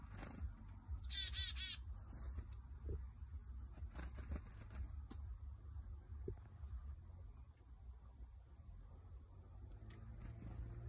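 A chickadee gives one high, sharp note, then three or four quick buzzy 'dee' notes, all within a second. Faint rustling and soft taps follow in a quiet outdoor setting.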